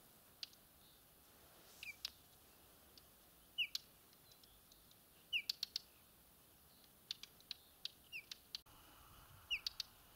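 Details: Whinchat calling on Exmoor: a short falling whistle followed by hard clicking ticks, repeated roughly every one to two seconds, with extra isolated ticks between calls.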